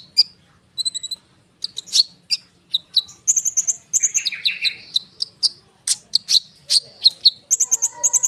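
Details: Konin bird pouring out a dense, busy song meant to get other birds calling: high whistled notes, chirps and a scratchy descending flourish packed closely together.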